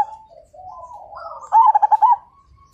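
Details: Majapahit-type zebra dove in full song, its voice said to set other birds singing: a low, soft, wavering cooing run-up that ends in one loud phrase of about six quick, evenly pulsed coos.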